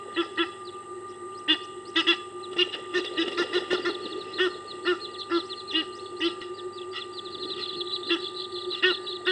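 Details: Egyptian geese in a dominance battle over territory at Kwa Maritane; rapid, irregular hoarse honks and harsh quacking notes, about two per second, rising to a dense burst midway, with a steady background hum.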